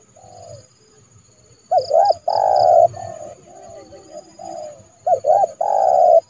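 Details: Decoy spotted dove used in January to draw a rival into a yard trap. Softer murmured coos build into loud doubled notes and long, full coos, with a faint high chirping in the background.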